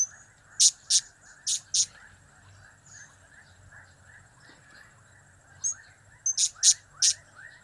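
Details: Blue-crowned hanging parrot producing its cap-cap, kiak-kiak and crap-crap calls, sharp squeaky notes in clusters of two to four, with a lull of several seconds in the middle and a low buzzing background.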